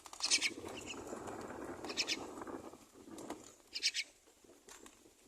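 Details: A mother myna feeds her two chicks on the nest as the chicks give three harsh, hissing begging bursts about two seconds apart, with soft rustling in between.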